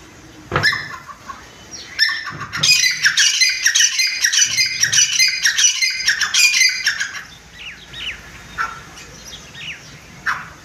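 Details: Grey francolin raised at home as a small bird-farming business, giving a burst of loud, harsh calls repeated quickly for about four seconds. Quieter scattered chirps follow, with faint room noise.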